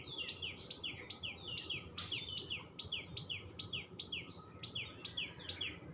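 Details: Tuntuni bird chirping nonstop: evenly paced sharp, high double notes with a downward slur, over two per second, plus one brief click near the two-second mark.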